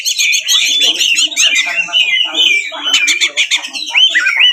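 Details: Kacer, the Oriental magpie-robin, in a full 'ngeplong tarung' fighting song meant to anger rival magpie-robins into answering and opening their tails; dense, loud stream of shrill whistles, rapid chattering notes and sweeping slurred phrases without pause.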